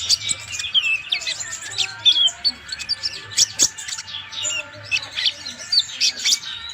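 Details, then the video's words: Purple-throated sunbird, known locally as konin, recorded as a master song for training caged birds; a busy run of high, thin chirps and twittering trills, with rapid sharp notes densely packed throughout and a faint low hum beneath. "KONIN GACOR COCOK UNTUK MASTERAN"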